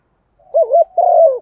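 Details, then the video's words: Single phrase from a decoy spotted dove calling the flock: a soft wavering double note then a sustained husky coo that slides down at the end. "Chim cu gáy mồi gáy gọi bổi nhanh về, cu đất gáy gọi bầy"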